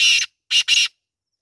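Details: Harsh grating notes of a black francolin (kala teetar): one long rasping note, a short gap, then two buzzy notes run closely together, loud and dry, with silence around them.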